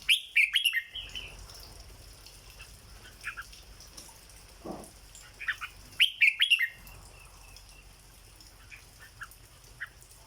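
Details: Caged red-whiskered bulbul singing in the 'dok' style: two bursts of loud, quick whistled and warbled notes near the start and at six seconds, with scattered softer chirps between, over a steady high insect-like hum.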